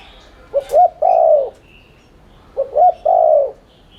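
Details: Spotted dove, lure to make birds coo quickly: two phrases, each a pair of short rising hooting notes followed by a drawn-out descending coo, about two seconds apart, faint thin chirps behind.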